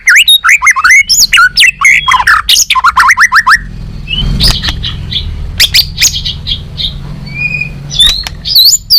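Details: White-rumped shama (murai batu, 'balak 6' style), singing a lure and tutor song for trapping birds: rapid burst of loud, varied whistles, chips and slurred notes for about three seconds, then a quieter stretch with scattered sharp notes over low rumbling noise, and a final short burst.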